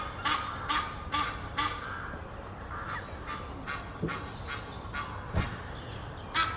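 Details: A pair of Egyptian geese courting up a tree near Henley upon Thames. Repeated short, hoarse, honking calls come in quick runs, with a few sharper notes. Steady background rustle and hiss run throughout.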